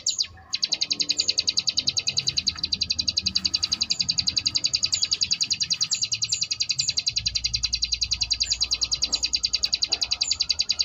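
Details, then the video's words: Sunda bush warbler performing ngebrem variation, recorded as a model for contest birds: after a short start, a long unbroken run of rapid high buzzy pulses, very regular throughout. "cigun ngebrem variasi"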